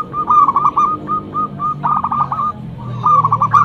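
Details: Loud local zebra dove used as a lure bird, in repeated rapid phrases of short whistled coos near one pitch, broken by brief pauses, with a low hum underneath.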